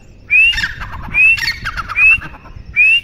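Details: Teetar, a partridge, giving four bright rising whistles roughly every 0.8 seconds, with rough, chattering notes filling the gaps between them.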